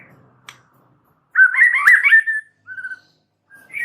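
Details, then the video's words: White-rumped shama giving a single rich, warbled whistled phrase followed by a short softer whistle, with a sharp click heard just before. "Audio Gacor MURAI BATU Extra Rewel Cukup 1 Burung"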